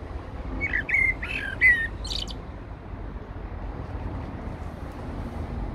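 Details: A Eurasian blackbird singing at Heidelberg Castle: three or four mellow whistled notes in quick succession ending in a short high squeak, then only soft background rumble.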